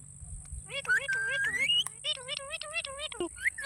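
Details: Green parrot chirping in wavering, warbling harmonic notes, one long steady whistle sliding upward, repeated wobbly calls, with a constant thin high-pitched tone in the background.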